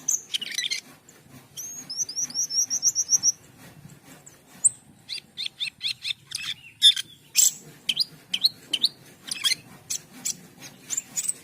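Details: Asian pied starling, known locally as jalak keling, singing vigorously: a rapid series of high rising whistled notes, then harsh rasping bursts and scattered sharp chips over a faint low hum.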